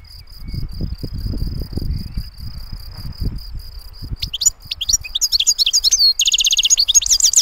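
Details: European goldfinch singing cleanly, beginning after four seconds of a steady high whine: rapid twittering, tinkling notes, then a buzzy trill of evenly repeated chips near the end.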